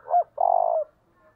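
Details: Spotted dove giving urging coos and lure calls in the early morning, local thổ đồng voice style: a short low coo, then a longer throbbing, pulsed coo of steady pitch, ending in near silence.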